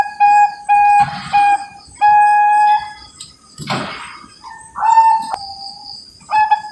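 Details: Perkutut Bangkok zebra dove kept by a Cilacap breeder in Java: loud, drawn-out low coos broken by pauses and short bursts of rustling noise, ending with a rising coo and renewed tones.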